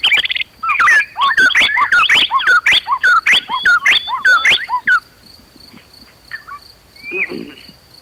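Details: White-rumped shama (murai batu) singing in an emotional, combative style. A rapid burst of repeated sharp, twisting notes lasts about four seconds, then gives way to a few scattered whistles. A thin constant high tone hums in the background.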